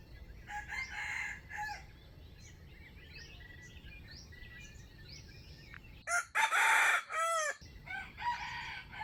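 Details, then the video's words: Wild chicken crowing during trapping, recorded 05/07/2025: a short broken crow near the start, then a louder, harsher crow around six seconds, with thin high chirps from small birds throughout. "Trap wild chicken with standard crowing voice"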